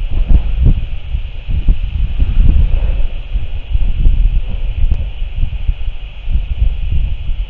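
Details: Low, rolling wind roar and microphone buffeting fill the recording, with no animal calls audible.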